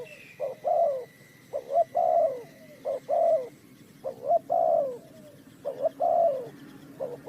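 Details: Repeated cooing of a spotted dove used in bird trapping, Ninh Thuận: gentle low double notes followed by a longer downward coo, roughly every second and a half, fairly even rhythm.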